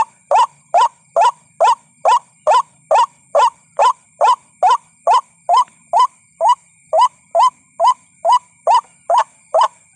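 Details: Lure recording of a white-breasted waterhen, meant to draw ruak-ruak birds in: a long unbroken run of loud, harsh upward-bending notes, roughly two and a half per second, with a thin steady high hum behind.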